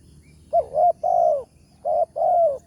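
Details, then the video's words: Wild spotted dove with a powerful 'tarik akar' voice, heard during a morning lure-trapping session; a quick run of five close, warm coos, two short then a long sliding note, repeated, loud and clear. "TEKUKUR SUARA BERSAR"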